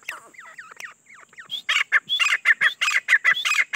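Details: Soft, rising whistled notes lead into a loud series of harsh, repeated ringing calls from a grey francolin, the teetar, about three per second.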